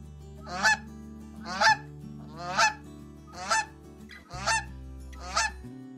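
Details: Goose, either domesticated on farms or wild and migratory, honking in loud nasal bursts about once a second, six calls in a row over soft background music.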